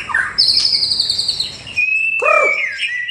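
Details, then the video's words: Murai batu in lively full song used as a morning training lure: a long, clear, high whistle sliding slowly downward, then a steady whistled tone and a rising and falling twisted phrase. "Murai Batu Gacor Dor Full Isian || Untuk Melatih Burung Di Pagi Hari"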